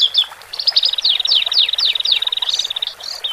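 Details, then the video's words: Caged Horsfield's bush larks, male and female, sing to ease newly separated birds into cage life; a fast rattling trill runs beneath a series of falling slurred whistles. "Pancingan Branjangan Jantan Dan Betina Untuk Mempercepat Proses Adaptasi Branjangan Bahan Di Sangkar"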